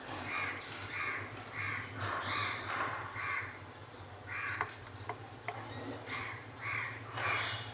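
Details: Budgie chick being fed by a male budgerigar: a series of rough, grating calls repeated irregularly, with a few sharp clicks and a steady low hum underneath.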